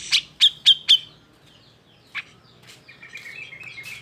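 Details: Cucak jenggot in emotional, agitated song for provoking silent birds into singing: four loud sharp chips, a lone note, then softer wavering whistles.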